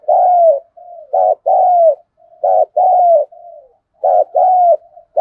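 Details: Decoy spotted dove cooing in local song styles called thúc, gù and gáy gọi. Four rhythmic pairs each join a brief note to a longer, downward-sliding coo. Soft humming notes link the pairs, in clean, quiet surroundings.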